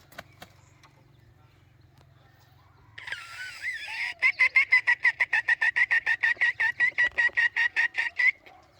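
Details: Red junglefowl used as a decoy bird to lure wild junglefowl: a harsh noisy burst, then a fast run of about twenty sharp, evenly spaced clucks repeated several times a second for four seconds.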